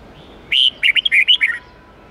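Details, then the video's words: A red-whiskered bulbul gives a quick, lilting phrase of about six rich, bubbly whistled notes lasting a second, over a faint steady hum; a song for training young birds. "Luyện chào mào hót âm 8-9-10 giọng chuẩn rừng xoắn tít/ép chim non học giọng hiệu quả"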